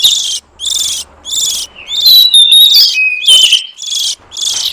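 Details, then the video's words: Oriental magpie-robin lure sound for catching wild birds: a series of rasping, buzzy high bursts at a steady pace, broken midway by a few clear sliding whistles. "Suara pikat burung kacer liar hutan ampuh"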